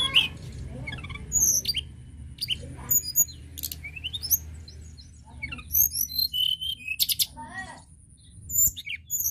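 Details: Varied tledekan gunung lark song played to stimulate other birds: many sharp high chirps, twittering clusters and descending whistled notes in quick succession, with a faint steady high tone and a low hum behind.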